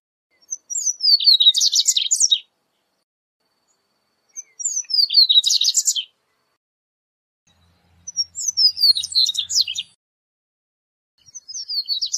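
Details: Corbatita (Double-collared Seedeater) singing, audio for teaching and calling birds: four high phrases, each opening with thin descending whistles that run into a fast rattling twitter, repeated about every three and a half seconds.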